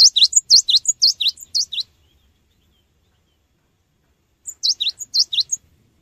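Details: Cinereous tit singing energetically, used as a lure for training birds: bright, high, repeated three-note phrases, a thin whistle followed by two sharp down-slurred notes. A burst of about two seconds, a pause, then a shorter second burst.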